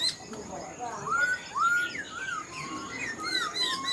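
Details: Wild-caught old black-throated laughingthrush kept in a cage, giving rich slurred whistles that rise then level off, separated by short pauses, over steady background hiss.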